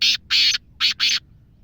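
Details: Wild native black francolin, linked to Sindh, possibly a female, calling loudly: four harsh, grating, high notes in two pairs, each short note followed by a longer one, with a brief pause between the pairs. Faint background hum.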